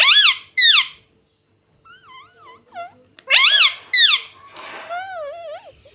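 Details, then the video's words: A pet ringneck parrot repeats loud, shrill, up-and-down screeches in pairs, with softer warbled whistles between them and a longer, wavy squawk near the end. "Ringneck Parrot Natural Sound"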